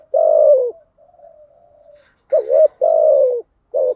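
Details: Spotted dove coos played as lure calls, described as female decoy calling: a long hollow falling coo, a soft murmur, then a dipping double note and another extended coo, with a brief clipped note at the close.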